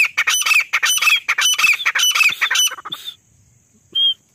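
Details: Female grey francolin calling, a recording used as a hunting lure: a fast run of harsh, squeaky notes for about three seconds, then a pause and one last squeak.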